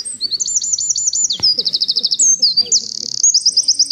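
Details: Eurasian wren song phrase packed with notes: very high, fast rattling trills alternating with sharp whistled slurs, continuing for about four seconds, with a faint low murmur underneath.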